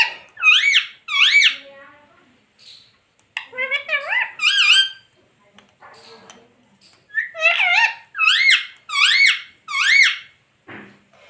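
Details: Talking pet ring-necked parrot indoors, repeating learned words like "Mitthu Mitthu" and "Mummy Papa"; harsh, high, nasal arched syllables in quick runs of two to four, separated by short pauses, with faint squeaks between.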